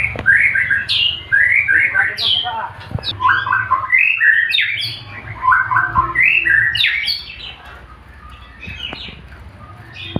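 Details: Song of a male white-rumped shama: bursts of quick, varied warbled and whistled notes, some rising sharply, delivered in lively clusters for about seven seconds before quieter fragments, with faint background voices.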